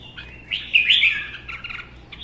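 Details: Caged red-whiskered bulbuls, one captive-bred and one wild-caught adult of one season, in a provoked singing duel. A short, fairly quiet run of bright warbled phrases with a louder slurred burst near the middle, over a faint background hum.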